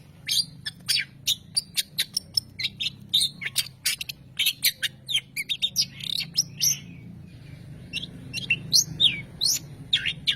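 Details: Long-tailed shrike song variations, opening with rapid sharp ticking notes, then scratchy twitters and clear downslurred whistles in the later part, all high-pitched.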